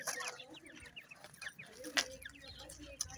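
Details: Grey francolin chicks feeding: a busy stream of short, high, downward-slurred chirps, many overlapping, with scattered clicks and knocks in the background.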